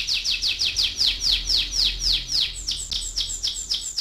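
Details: Canary singing a rolling (ngerol) song used to prompt young canaries to sing: a fast run of identical high, down-slurred notes, roughly four per second, shifting midway to a slightly different repeated note.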